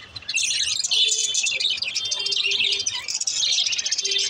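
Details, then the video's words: Green lovebirds kept as pets, several chattering at once in a dense, continuous stream of high, scratchy chirps and twitters, with brief pauses and a faint low hum beneath. "green love birds sunds"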